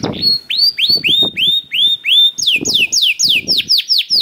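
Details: Canary song meant to set other canaries singing: a series of rising, bent whistled notes about four per second, then faster descending slurred notes, with low thuds between them.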